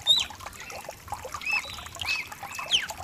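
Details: Mutation cardinal singing over a rain backdrop, meant to warm up another cardinal: a few clear, slurred whistles, some rising and some falling, set against constant hissing rainfall.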